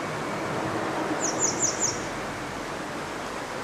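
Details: Grey wagtail perched on a power line on a bridge over the Koma River at Agano, 1 June 2022, four sharp, high metallic notes in quick succession over a steady rush of flowing water.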